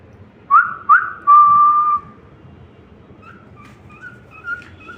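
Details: Cockatiel song: two quick upward-swept whistles followed by a long level whistled note, then softer, fainter whistled fragments trailing off, with light background hum.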